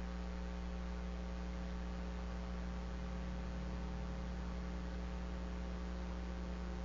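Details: Steady electrical mains hum from an eagle nest camera in early afternoon, with no animal sound.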